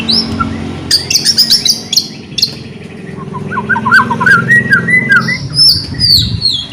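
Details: White-rumped shama song, aimed at rousing quiet shamas: sharp high whistled notes and chatter early, then a run of softer mid-pitched warbled notes over a steady low hum.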